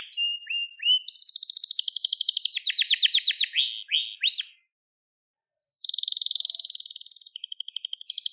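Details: Crested Gloster canary singing: rapid trilled tours of repeated high notes, a rolling buzzy run, then a pause and a fast ringing high trill, each tour switching to a new syllable type.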